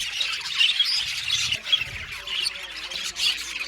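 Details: A colony of budgerigars in an aviary fills the air with steady overlapping warbles, chirps and harsh squawks.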